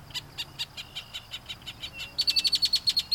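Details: Northern Mockingbird, a mimic that repeats its repertoire to impress females within earshot, repeats a high, chippy note about four times a second, then switches to a louder, sharper whistled phrase repeated at the same quick pace.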